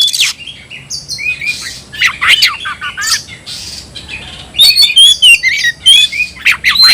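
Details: Harsh scratchy notes alternate with clear, ringing whistles and short warbles as an oriental magpie-robin sings a new tayoraky-style variant, tail fanned, in vigorous full song.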